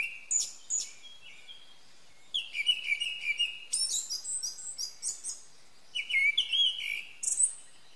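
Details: A Japanese Thrush, a skilled mimic, sings near a house in early morning, recorded from a window: varied, rich whistled phrases mixed with high, thin trills and chips, a brisk run of changing notes in quiet, windless air.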